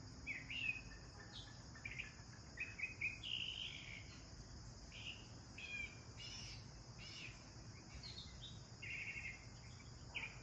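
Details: Sparrows bathing give short, bright chirps in irregular bursts, at times several a second, over a steady high insect drone and a low background rumble.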